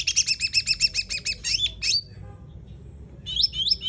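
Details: Sumatran laughingthrush in gacor tembakan song opens with a rapid, even rattle of about a dozen high chirps, then gives sharp falling whistles, a short silence, and more quick slurred notes.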